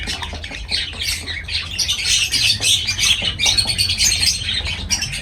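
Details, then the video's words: Lovebirds twittering shrilly and rapidly, a thick stream of high squeaky chirps repeated about three times a second with little pause, over a soft low hum. "Love birds voice sound"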